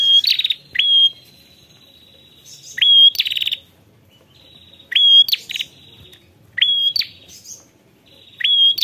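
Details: Ashy prinia calling a rival, giving short high rising notes followed by brief loud buzzy bursts, repeated at irregular intervals about every two seconds, with a faint thin drawn-out trill between bursts.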